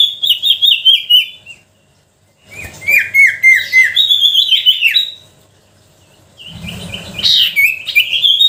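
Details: Sooty-headed bulbul song meant to provoke lazy bulbuls: three bursts of rapid, chirpy whistled notes sliding downward, with silent gaps and a low rumble between them.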